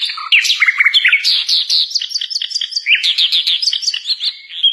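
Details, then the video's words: Common nightingale (Luscinia megarhynchos) pouring out rich, varied song: low fluttering notes, then rapid sharp chips and bright repeated whistles run together almost without pause. "KICOAN MERDU BURUNG SIKATAN LONDO"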